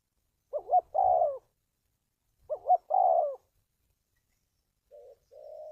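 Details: Spotted dove cooing for luring trapped birds: two phrases of double short notes and a longer coo about two seconds apart, then quieter softer coos, with faint low thumps.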